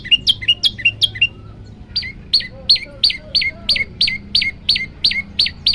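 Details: {'caption': 'Olive-backed tailorbird song variation for training birds: quick doubled chips at first, then after a short gap a run of sharp downward-slurred notes at a steady pace, with faint softer bird calls underneath.'}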